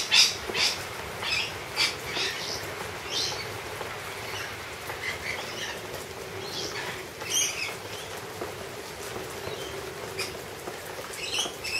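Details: Wild lorikeets, several overlapping, give shrill, scratchy screeches and chatter in quick irregular bursts with soft rustling and wing flutters while being fed honey by hand; lorikeet.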